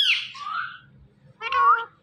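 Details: Indian ringneck parakeet: a harsh, descending high squawk followed after a pause by a short nasal, word-like call.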